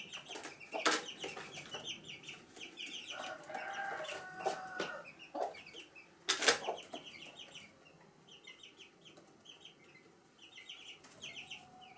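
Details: Domestic hen accompanied by chicks inside a house at Sandoval de la Reina in April 2016, giving short low clucks among continuous high chick cheeping, with a few sharp knocks or rustles early on before the peeping carries on alone.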